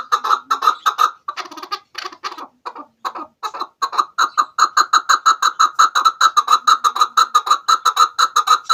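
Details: Hunting-lure call of a chukar partridge: scratchy clucking that breaks up briefly after the first second, then settles into a long, regular, rapid chain of repeated chuk notes.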